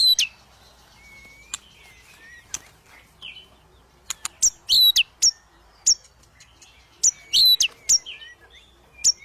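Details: White-rumped shama in an aggressive mood, seeking a rival to fight, delivering scattered high whistled notes, sharp clicks and brief buzzy phrases separated by short pauses.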